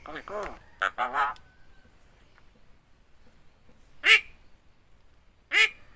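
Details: Javan myna (Acridotheres javanicus), yellow-eyed, tongue uncut, imitating human speech, apparently the greeting "assalamualaikum": a hoarse, voice-like phrase, then two short nasal word-like bursts about a second and a half apart.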